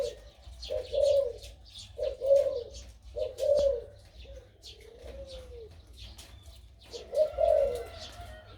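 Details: Crossbred dove, nearly a year old, with a big voice, singing in the 2-3 'kuk' style: low, rounded coos in short bursts about once a second, one softer descending note, with faint high chirps from other birds behind.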